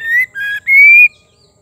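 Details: Brief song phrase of a female white-rumped shama, used to spur males into song: two short clear whistles, the second lower, then a long bright whistle gently rising before it stops.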